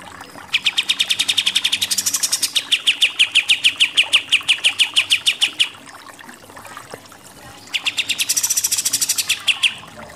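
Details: Pied triller giving its 'nembak-nembak' shooting-style song, used as tutor audio for contest songbirds: long rapid trills of sharp repeated notes, slightly falling, with higher buzzy bursts, pausing between about six and eight seconds.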